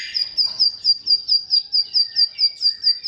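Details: Bar-winged prinia song filler, used to prompt mute or sluggish birds: a steady series of sharp, high, clipped chirps, about four each second, in near silence.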